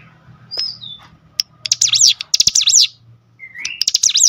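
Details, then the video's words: Cinereous tit song used to provoke rival cinereous tits: a few thin whistles, then two loud bursts of rapid zigzag notes, a rising whistle and another quick phrase, over a low hum. "spontan emosi Cigun manapun langsung gacor dengan pancingan ini"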